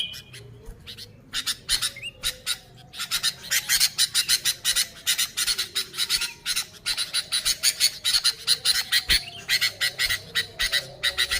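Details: Sooty-headed bulbul, a recording without other birds mixed in, used to lure bulbuls: dense runs of harsh, scratchy chattering notes repeated rapidly, with a few short whistled notes near the start.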